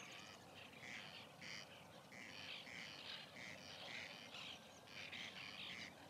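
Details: Nesting colony of white-winged terns in 2021: clipped, harsh squawks repeat about every half second from several birds, overlapping in a busy, uneven chorus.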